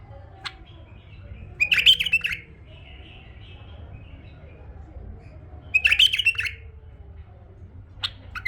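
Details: A tame male bulbul sings two separate, brief, sweet chortling phrases about four seconds apart, with light clicks and low background hum.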